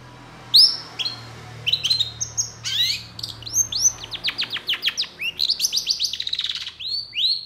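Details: Long-tailed shrike singing a varied tutor song packed with fill-in phrases, quick to answer rival shrikes; thin high whistles and slurred notes lead into a fast run of sharp downward-sweeping chips, ending in a rising whistle.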